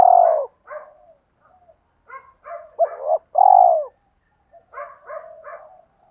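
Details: Lure cooing of a spotted dove aimed at stirring wild doves to answer: deep hollow coos, one long note opening, then broken softer phrases and two more strong coos, repeated with short pauses.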